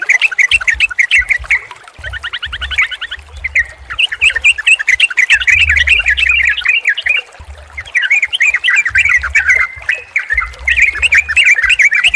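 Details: Sooty-headed bulbul combination used to stimulate a non-singing, stressed bird: long stretches of rapid, twittering, slurred notes, at about 200 per minute, broken by short gaps, over repeated low knocking thumps.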